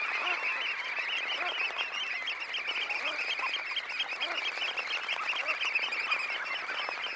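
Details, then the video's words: Red knots, some 20,000 birds, taking off from a high tide roost at close range: constant dense babble of quick nasal calls, crowded and steady throughout. "Red Knot. CU Sound Of About 20,000 Birds Taking Off From High Tide Roost. Calls"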